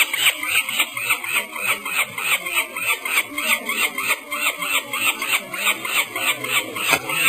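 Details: Falcon chick, likely female, at Harrisburg during banding on 22 May 2008, screaming in alarm to warn nestmates and parents: harsh, raspy bursts about three a second in a steady, insistent run with no pauses.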